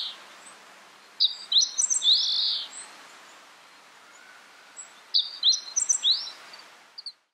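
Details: Meadow bunting of the subspecies ciopsis, recorded in April 2014 at Takayama, Japan: two brief bursts of high, thin, clipped notes and quick downslurs about four seconds apart, over quiet background hiss.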